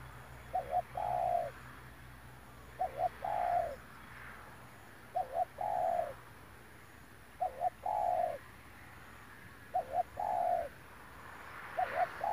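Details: A spotted dove used as a decoy for trapping wild doves, 9 March 2021, coos low and soft: two quick notes, then a longer hoarse coo, the phrase repeating every two seconds or so against a quiet outdoor background.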